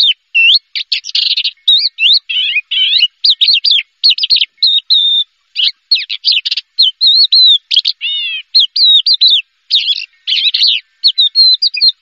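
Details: Champion contest Horsfield's bush lark singing a loud, rapid, varied song of chirps, whistled slurs and short trills, delivered in dense bursts with brief gaps and no other sounds.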